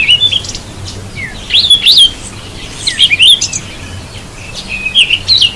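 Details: Bathing Cape robin-chat; bright, high-pitched chirps come in quick rising and falling clusters roughly once a second, with brief broadband splash-like ticks between them and a faint low hum beneath.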